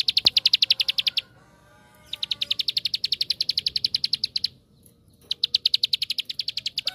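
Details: Rapid-fire 'tembakan' lure song of the bar-winged prinia, meant to get other prinias singing: three bursts of fast, high, clicking notes, the middle one the longest, with short silent gaps between them.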